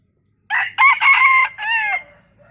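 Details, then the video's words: Decoy bantam rooster whose crowing, given around nine times, is said to sound like laughter. Here it makes a loud, choppy crow split into four quick bursts, then a longer final note trailing downward, against near silence. "ขันสัก9ดอกคล้ายเสียงหัวเราะ ไก่แจ้ ไก่ขัน"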